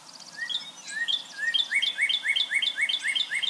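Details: Northern cardinals singing in late winter, heard as a sign of spring: clear, whistled slurred notes repeated rapidly in bright, ringing series.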